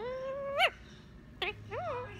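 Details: Indian ringneck parakeet, three years old and learning new words, gives a drawn-out nasal tone that swoops upward, then a sharp clipped note and a wavering bent syllable, mimicking speech in a quiet indoor setting.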